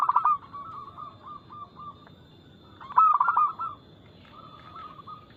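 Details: Local zebra dove, said to sing eagerly with fast notes and a loud, crystal-clear voice, used as a lure to prompt other doves to sing. Two strong rippling coo phrases, near the start and at three seconds, over softer background cooing.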